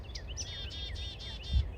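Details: Black-capped chickadees at Sandy Hook, Monmouth County, around 8:43 am on New Year's Day 2023, give a run of five or six harsh, buzzy dee notes in quick succession over a low rumble of wind or distant traffic.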